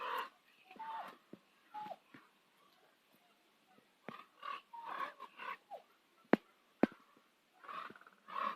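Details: Irregular gravelly croaks and gurgles from ravens at sunset, Nose Hill, Calgary. Two sharp knocking clicks stand out midway, with softer calls between.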